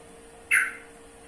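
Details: Yellow-vented bulbul giving one brief, scratchy chack note that starts abruptly and fades, over a steady low hum.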